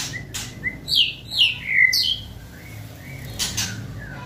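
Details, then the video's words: White-rumped shama (murai batu), a fierce kretekan meant to provoke the bird and speed up its singing: a few loud, downslurred whistled notes in quick succession, soft high chirps around them, then two sharp broadband clicks near the end. "Kretekan Gahar MURAI BATU GACOR ini untuk memancing Emosi dan mempercepat Ngeplong"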